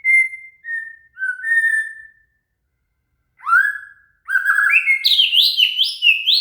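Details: Shama (murai) song as training material for a cililin: steady falling whistles, a pause, a rising whistle, then a rapid stepped series of bright notes climbing and dropping in pitch.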